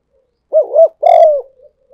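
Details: Spotted dove decoy call for luring: one clear loud phrase, a quick double coo followed by a longer, steady, mellow coo, with a faint trailing murmur at the end.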